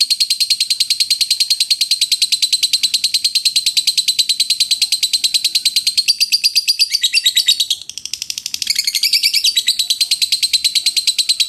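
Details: A long, steady ngekek trill from a lovebird, a high, buzzy run of rapid pulses with a brief scratchy dip near the end before the chatter resumes.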